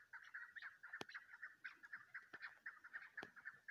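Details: Female chukar used for hunting, calling. It gives a steady series of short clucking notes, several per second, with sharp clicks and crackling noise throughout.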